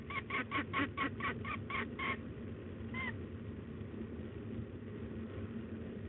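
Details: Peregrine falcons at De Mortel, Netherlands, on 8 May 2021 at 14:25. One gives a rapid chattering series of about nine harsh, nasal notes over two seconds, then one drawn-out whining note, over a steady low hum.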